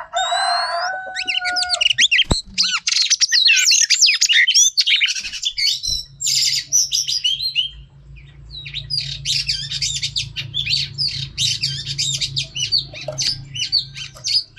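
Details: Female Oriental magpie-robin used for training male birds: long varied medley of sweet whistles, trills and harsh chirps, pausing briefly, over a steady low hum in the background.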